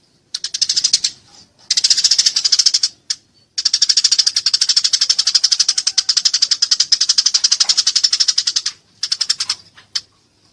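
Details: A Eurasian tree sparrow in a fight gives long, dense, buzzy chattering, with chirps run together into continuous bursts lasting several seconds and a few short breaks between them.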